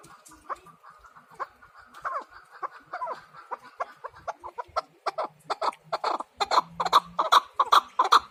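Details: Chukar partridge call series that starts with scattered soft clucks and builds into louder, quicker chuk notes, roughly two and a half per second, by the end.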